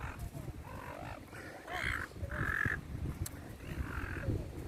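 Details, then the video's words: Gulls being fed in a park give harsh, nasal squawks, three drawn-out cries spaced about a second apart over a steady low rumble of background noise. "FEEDING THE SEAGULLS IN THE PARK/ SEAGULLS SOUND EFFECT"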